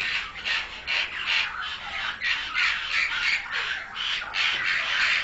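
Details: Captive-raised pied myna giving a steady series of grating, crow-like squawks, roughly three per second, each raspy and broad, continuing evenly throughout.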